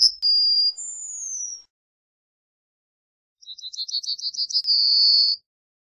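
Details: Yellowhammer song: a phrase's end of a held high note and a falling drawn-out whistle, a pause, then a fresh run of quick repeated chips climbing into a long, steady, buzzy final note. Quiet background.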